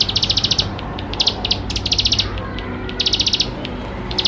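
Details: Quick-fire bar-winged prinia song, a lure for young birds: clipped buzzy trill bursts, some very short, others half a second, tumbling one after another at high pitch.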